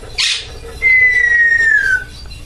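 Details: Pet female Amazon parrot, covered for the night and meant to be going to sleep, mimics a falling bomb: a brief hissy burst, then one long pure whistle gliding slowly downward for over a second. Quiet room, faint hum.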